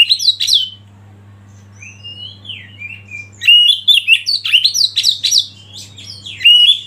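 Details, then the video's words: Oriental magpie-robin (kacer) master song, played to provoke other birds into singing, with rich, varied whistles and chattering phrases in two bursts and slurred notes between them, over a steady low electrical hum. "Masteran KACER Pancing Emosi dan bikin gacor yg lain"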